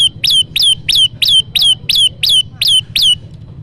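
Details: Olive-backed tailorbird song played as a trapping lure: a fast, even series of about ten loud, piercing notes, each rising sharply then sliding down, about three per second, over faint low hum.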